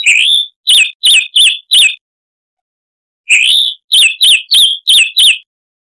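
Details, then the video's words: Chalk-browed mockingbird, Mimus saturninus, harsh-voiced tutor song for cage birds: a rising whistle and four quick wavering notes, a silence of over a second, then the same phrase repeated with five notes. "Masteran Burung Luar Negeri Suara Kasar - Chalk-browed Mockingbird (Mimus saturnin)"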